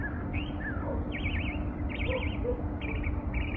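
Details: Morning bird song with rapid trilled, wavering whistles and a few rising chirps, heard over a constant low background hum.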